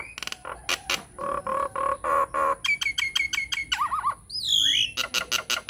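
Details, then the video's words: Nias hill myna lure song for getting quiet mynas to sing: a varied rapid series of ticking notes, repeated buzzy tones, warbled wavering whistles and a loud falling whistle, dense and continuous. "SUARA PANCINGAN JALAK NIAS GACOR BIKIN JALAK MACET LANGSUNG NYAUT"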